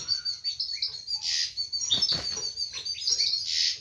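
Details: European goldfinch singing its mating song, said to prompt a female to take a mating posture: a continuous, busy, high twittering with liquid tinkling notes over a faint low hum.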